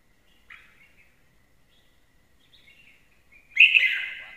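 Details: A red-whiskered bulbul kept as a good lure bird sings a short warbled phrase, then soft twittering, then a louder rich, buzzy burst near the end. The background is quiet.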